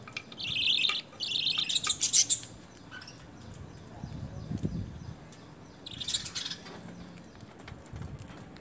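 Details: Lovebirds being hand-fed spinach and coriander during initial handfeed training, giving harsh, buzzy high chattering bursts, two longer runs in the first seconds and another near the sixth second, with quiet rustling and low handling noise between.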